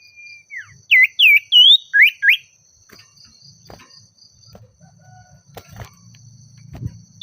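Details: Singing Oriental magpie-robin calling a rival with agitation: a descending whistle, then five loud looping and upswept whistled notes in quick succession, followed by quiet with faint low rumbling and knocks.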